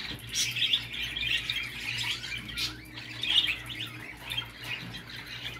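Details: Budgerigar warbling used to prompt a male to mate: busy scratchy chatter with sliding whistled squeaks and clicks, rising and falling in loudness, with a low background hum.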